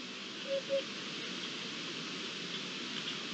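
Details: Eurasian hoopoe (Upupa epops) song, recorded 7 May 2021: two soft, low, hollow hoots in quick succession, then silence, against a steady hiss.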